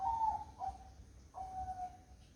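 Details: On a misty morning a zebra dove gives a brief bubbling coo that falls slightly, then after a short pause a longer, steady, hollow note. Faint low background rumble.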